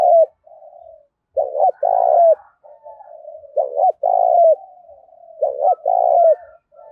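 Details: Spotted dove with the sharp "đồng thổ" fighting-song voice meant to goad wild doves: three loud phrases, each a pair of short throaty coos followed by a long vibrating coo, spaced about two seconds apart, fainter doves cooing between.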